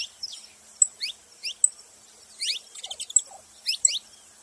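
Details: Saffron finch giving scattered sharp, high chirps in small clusters separated by short pauses, over a quiet background.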